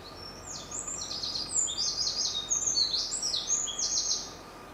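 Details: Wren of the mosukei subspecies on Miyake-jima, Tokyo, Japan, recorded 7 April 2019: a rapid, high, tinkling song of fast trilled phrases, some notes slurred downward, running almost five seconds over a steady low background hum.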